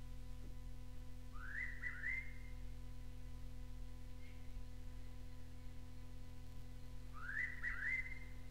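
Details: Noisy (buff-breasted) pitta (Pitta versicolor) in North Queensland tropical rainforest, probably on the Paluma Range north of Townsville, gives two loud whistled calls about six seconds apart, each a quick rising note run into a level one, over a steady low hum.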